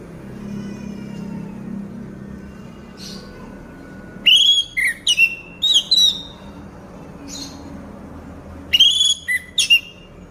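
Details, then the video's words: Moulting orange-headed thrush kept in a cage, singing nonstop. Short clusters of bright, upswept whistles come in quick groups of three or four, with a long pause and then a final burst. A faint low hum sits beneath. "Burung Anis Merah Mabung Gacor Tidak Mau Diem"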